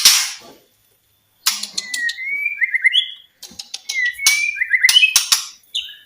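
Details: Song of a white-rumped shama, meant to goad silent shamas into singing again: a short burst of noise, then sliding whistled notes and trills mixed with sharp clicking, harsh bursts.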